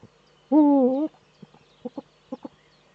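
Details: Eurasian eagle-owl male displaying in the nest niche, webcam in northern Rhineland-Palatinate, Germany, 4 May 2013. One loud half-second tonal call, slightly dipping then lifting, followed by a series of short, low clucking notes in pairs.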